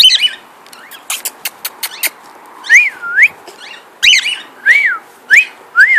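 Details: Pet cockatiel whistling, said to be singing and flying: after a burst of clicks, a run of clear looping whistles, each rising and falling, repeated about every half second, with a person talking nearby.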